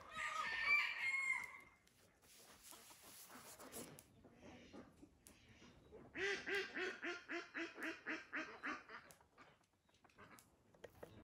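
A run of about a dozen loud, nasal quacks, three or so per second, from a Dutch Hookbill duck. A rooster crows at the start.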